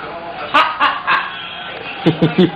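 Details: A pet scarlet macaw talking to its owner: three hoarse, bright speech-like syllables, then three quick lower 'hi'-like words. A human voice may be mixed in.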